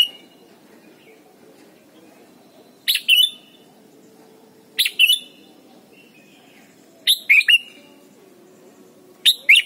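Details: Red-whiskered bulbul in Thailand, used as a singing lesson for young birds. Short bubbly phrases of two or three sharp chirps come every two to three seconds, with a faint low hum underneath.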